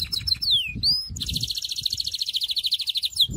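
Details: Song of a Syrian canary: a few sweeping slurred notes, then a long, rolling trill of rapidly repeated notes lasting about two seconds.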